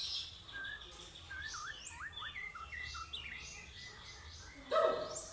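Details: White-rumped shama delivering quick whistled notes and looping slurred phrases, with a short louder sharp note near the end over a steady low background hum.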